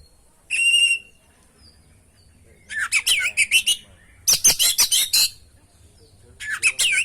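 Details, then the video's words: Kacer (oriental magpie-robin) in lively song with mimicked fill-ins, used to prompt other birds to sing: a steady whistle, then a run of looping whistled notes, a burst of harsh scratchy chatter, and more sweeping whistles. "masteran pancingan burung kacer gacor isian bongkar"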